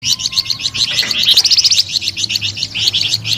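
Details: Flamboyan bird singing a sweet, lively song: a fast, continuous chatter of high, rapidly repeated trilled notes, about four per second. A faint low hum sits underneath.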